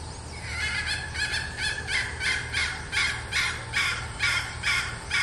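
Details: Female red junglefowl decoy bird giving its clucking call: harsh, raspy notes repeated about every half second over steady low background rumble.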